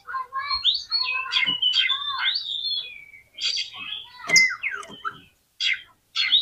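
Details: Oriental magpie-robin song meant to excite other magpie-robins. A dense, quieter stream of tangled whistled and chattering phrases, some lower and mellower, broken by sharp clicks and two short silent gaps near the end.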